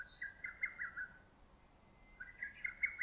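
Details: Two loud whistled phrases from a lesser cuckoo among early summer trees, each a quick, slightly stuttering string of clear notes, separated by a short quiet gap.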